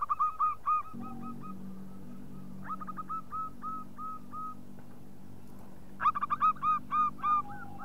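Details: Local zebra dove lure call meant to get other doves cooing: spaced ringing notes, then a clipped series, then a loud burst of rapid bright coos, with a low droning hum underneath.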